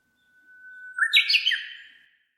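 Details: Japanese bush warbler singing on 30 May 2015, recorded with a compact camera and noise-reduced: a long steady whistled note, then a loud quick rich warbled flourish that fades out.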